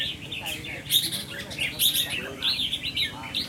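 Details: Cage-kept red-whiskered bulbul, heard while its temperament is tested, giving short, sharp chirps and warbled notes in uneven bursts about once a second, with faint background noise between phrases.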